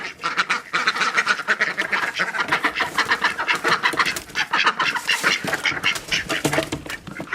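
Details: Several domestic ducks, annoyed at a kitten sitting where they come out of their pen, give a dense, busy chorus of raspy quacks with overlapping calls, some shorter and clipped, and scuffling movement throughout.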